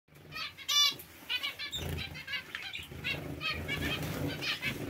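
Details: Zebra finch colony kept alongside Bengalese finches: overlapping nasal, harmonic beeping calls from many birds, with soft wing flutters and low rumbling in the background.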